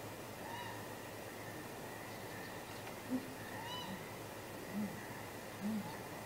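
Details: Great grey owls courting at midnight on 23 April 2019, possible mating, heard off camera at a nest: a few faint, deep, short hoots spaced about a second apart over steady background hiss and a high continuous hum.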